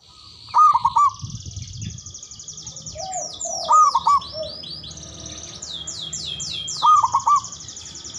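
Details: Local Javanese zebra dove with a big, loud voice and long breath, recorded as a lure to draw rivals into answering. Three rolling, stuttered coo phrases arrive about every three seconds, overlaid by constant high chirping and sweeping whistles from other birds.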